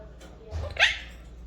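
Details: A pet Quaker (monk) parakeet in an Arabic-speaking home imitates human speech with a brief, raspy, word-like utterance amid repeated words.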